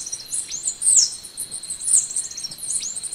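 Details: Golden-winged sparrow giving high, sibilant song notes, some bright, some slurring sharply down, roughly once a second, over a steady background drone.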